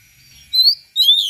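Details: Oriental magpie-robin singing gacor style with rare mimicked material: two clear, pure whistles, the second sliding downward, over a faint low hum.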